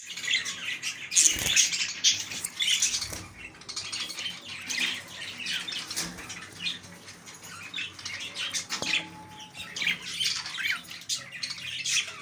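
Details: A busy flock of king-size budgerigars chatters nonstop with high, scratchy chirps and warbles.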